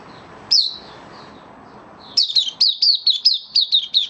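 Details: White-eye kept as a cage bird, recorded 18 May 2022 after a deworming course and supplements, giving 'buka sing' song: one isolated high chirp, a quiet gap, then a fast run of bright, slurred chirping notes.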